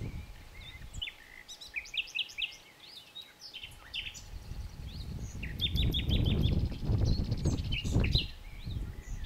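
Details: Common nightingale song of fast trilled bursts and sharp rising notes, rhythmic repeated elements, with loud low rumbling noise growing in the second half.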